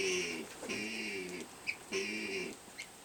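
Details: A domestic guinea hen in a barn makes unusual sounds while laying an egg. She gives drawn-out, nasal, harmonic notes in three long bursts, with short squeaky chirps in between.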